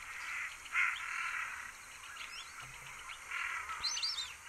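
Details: White-faced Whistling-Duck at Sonso Lagoon, a tropical dry forest wetland in Valle del Cauca, Colombia: thin, high whistled notes, some sliding downward, over repeated bursts of harsh, hissing chatter.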